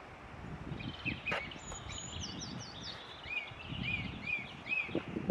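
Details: A Eurasian treecreeper in Ross-Shire, Scotland, on 22 April 2016 gives a very high, thin, quickly descending trill, then a run of short arched notes, over steady low rumbling background noise.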